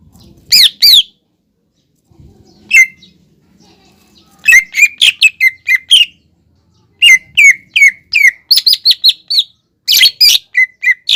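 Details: Greater green leafbird singing to provoke a young leafbird still learning its song into singing: loud, clear, slurred whistled notes given in quick irregular runs, some rising, others dropping, with brief pauses between phrases.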